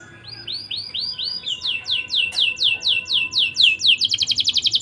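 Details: Young canary used as a lure to stir breeding urge; song of repeated descending whistled sweeps, speeding up into rapid rolling phrases, then a fast buzzy trill near the end.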